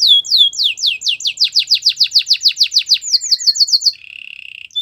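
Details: Belgian canary singing a training song, a rapid steady series of about twenty downslurred whistled notes, then a faster higher run and a short buzzy trill.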